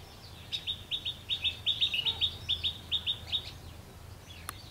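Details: Red-whiskered bulbul recorded while trapping in wind and rain on 19 March 2016, giving a quick string of bright, clipped high chirps about two or three per second, ending with a faint tick over low background rumble.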